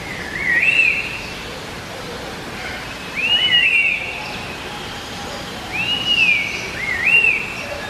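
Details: Red-winged laughingthrushes singing to one another, a species native to China and Vietnam. Three bursts of loud, slurred whistles, each rising then bending downward, come roughly every three seconds against constant low hiss.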